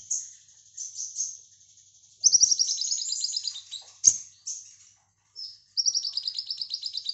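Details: A brown-throated sunbird (Anthreptes malacensis), used as a master song for lovebirds, sings in high, rapid bursts of sharp trilled chips, with brief pauses and one soft knock between.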